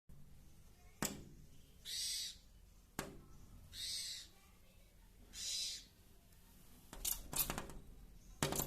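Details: Indian pied myna at a window, attacking its reflection in the glass: three harsh, hissing screech bursts about every one and a half to two seconds, mixed with sharp taps of pecking against the glass.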